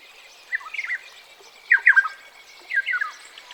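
Ethiopian Black-headed Oriole giving three short, liquid, fluty whistled phrases about a second apart, each of several slurred notes, over a soft background hiss.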